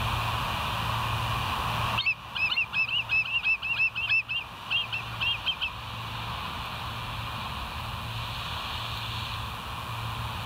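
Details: Bald eagles at the West End nest, 02:31 on 09/11/2023, calling at night: a quick burst of high, sharp chirping notes over about three seconds, then quiet, with a steady low hum and background hiss throughout.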